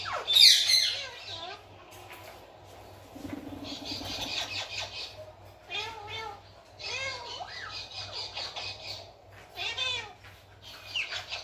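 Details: Pet Alexandrine and Indian ringneck parakeets mimic Urdu/Hindi speech in short, raspy, high-pitched phrases with squeaky harmonic syllables, repeated in bursts every second or two, over a low steady hum.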